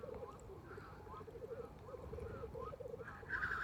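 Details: Black grouse call at night beside a tent in a Norwegian national park, where they behave strangely at this season. A continuous low, burbling, rolling warble is heard, with a higher hiss near the end.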